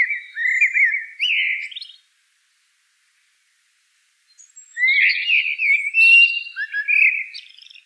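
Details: A Eurasian blackbird sings two phrases several seconds apart, each a mellow, rolling whistled warble ending in high, squeaky twitters, against a silent background.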